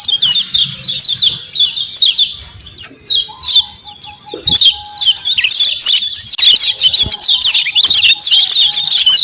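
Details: Common iora calling as a lure for a fast response: quick bursts of high, sharp chirps in irregular runs, about one burst a second, with a short quiet patch near the middle and a faint steady tone in the background.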